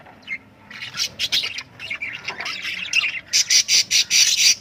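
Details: Lovebirds giving harsh, high chattering squawks, then a run of sharp shrill calls repeated about every quarter second near the end, loud and close.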